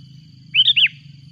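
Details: Sooty-headed bulbul calling noisily as a rival arrives: one loud, bubbly three-note phrase, the notes sliding down and up, lasting under half a second. A steady high whine and a low hum continue underneath.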